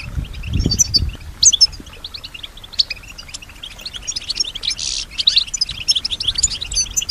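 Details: Caged female European goldfinch singing in response to surrounding sounds, imitating them; busy high twittering with rapid chirps and a harsh buzzy burst midway, faint low thumps near the start.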